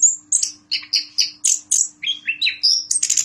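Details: Prize-winning captive Orange-headed thrush, a past champion at Yogyakarta, sings a rapid run of varied high whistles and sweet chirps, about three notes a second, over a faint steady electrical hum.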